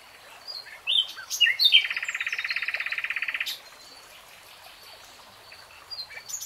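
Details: Common nightingale song: a few sharp chirps open into a fast, rattling buzzy trill held for nearly two seconds, about 200 pulses a minute, then silence and faint high notes.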